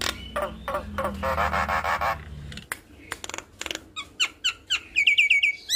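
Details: Energetic gacor song of a Javan myna, played to train young birds: a long rough churring rattle, then scattered clicks and sharp notes building into rapid high whistled chirps repeated in a quickening series.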